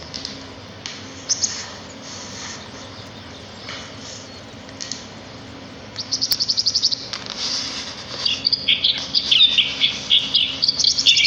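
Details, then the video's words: Sparrows singing in nature: a quiet hiss for the first six seconds, then bursts of rapid high chirps and twittering grow louder and busier toward the end. "صوت العصافير في الطبيعة"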